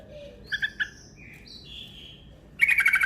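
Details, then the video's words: Yellow-vented bulbul lure call with a long, fast trill: a few short whistled notes and slurred whistles, then a dense, rapid, buzzy chattering rattle at the end. "Panggilan Burung Trucuk Ropel Panjang Gacor Cepat Bikin Emosi"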